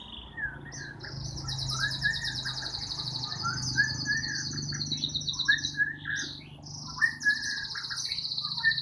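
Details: Caged white-rumped shama from Borneo singing a rich, varied song: buzzy trilled phrases high up alternating with clear whistled notes lower down, overlapping almost continuously, with a low steady hum beneath.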